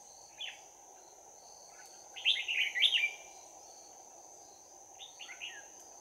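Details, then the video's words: Trapped red-whiskered bulbul singing a bell-voiced fighting song, 11 January 2019: one isolated note, then a loud burst of rapid, chattering, up-and-down notes, and a softer closing phrase, under a constant shrill insect hum. "Bẫy chào mào Giọng chuông đấu giáp lá cà"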